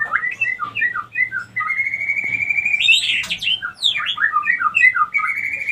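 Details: White-rumped shama female lure call meant to bring other females into breeding condition; a continuous, loud stream of varied slurred whistles, a long steady note, and buzzy rising sweeps.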